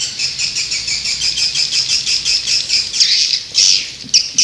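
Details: Swiftlet-attracting call of the white-nest swiftlet: a steady stream of high, rhythmic chirruping pulses, rising into a louder shrill burst near the end.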